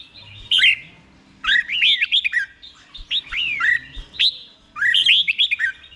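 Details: Red-whiskered bulbul kept in a cage in Thailand, singing the slow, clear doubled style used to teach other birds: four short phrases of chirpy, looping whistles that rise then drop, spaced about a second apart.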